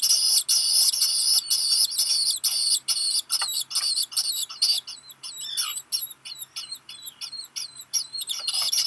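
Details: Nestling Black guillemot, one of two chicks on Seal Island, Maine, begging as a parent delivers rock gunnel; harsh high bursts give way to a regular run of short hooked whistles, about two per second.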